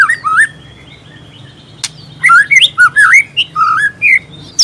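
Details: White-rumped shama in full song with mimicry: looping fluty whistles and slurred warbles after a brief quiet stretch.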